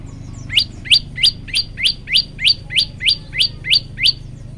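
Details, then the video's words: Gacor olive-backed tailorbird for masteran: loud upward-slurred whistled notes repeated about three times a second, each sweeping sharply from low to high, in a regular rhythmic run. "masteran handal prenjak lumut gacor variasi"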